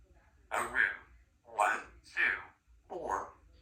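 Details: A talkative 3-year-old female Congo African grey parrot (Psittacus erithacus) mimics speech in four short speech-like bursts, each about half a second, with breathy, voice-like tones in a quiet room.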